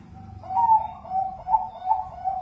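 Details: Bangkok zebra dove singing, used as a lure so pet doves will start to sing: a rising first coo, then evenly spaced mellow rounded notes that pulse gently, with low rumbling noise underneath.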